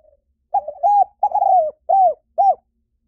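A spotted dove gives a soft, hoarse cooing phrase: a short lead note, then three or four mellow, slightly falling coos about half a second apart.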